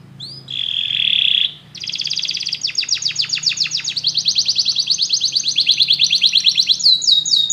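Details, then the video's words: Singing together after hearing music, canaries give a steady high trill, then rolling pulsed tours that speed up and grow louder, ending with upswept whistled notes. "muitos canários cantam junto depois de ouvir essa música"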